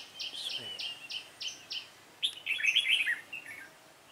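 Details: Red-whiskered bulbul with a dark bib, trapping session on 28 February 2017; six evenly spaced bright chirps, a short gap, then a loud bubbling warbled phrase fading into scattered notes.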